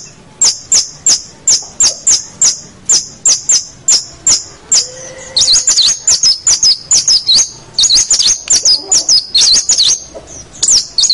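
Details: Long-tailed shrike (cendet, pentet) singing actively, a master recording for local shrikes; very high, sharp ticking notes repeated steadily, then a faster, twittering warble of rapid high notes.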